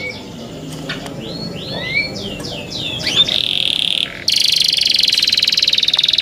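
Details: Young canaries: scattered soft upslurred whistles build into loud buzzy trills near the end.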